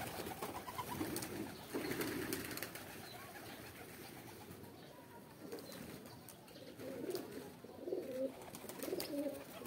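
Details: Pigeon (kabutar) giving a mating call: low, soft murmuring coos in short bursts near the start and again repeatedly in the last few seconds, over a steady background hiss and faint rustling.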